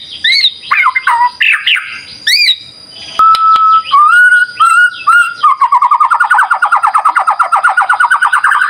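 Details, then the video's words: White-rumped shama singing hard: varied looping whistles and sharp chirps, then steady pure whistled notes, then a long, fast rattling trill that climbs slightly in pitch toward the end. "Pancingan Murai Batu Gacor"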